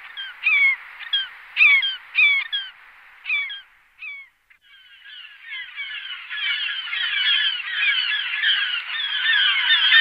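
Glaucous Gull giving harsh, falling, nasal calls, about seven in four seconds, followed by a dense, continuous din of many gulls calling together.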